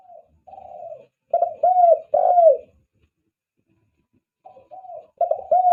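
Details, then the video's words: Spotted dove cooing, recorded as a lure call for attracting doves: soft, low, hollow coo notes in short groups, a rolling double note followed by a longer drawn-out coo, with irregular pauses between phrases. "SUARA PIKAT TEKUKUR"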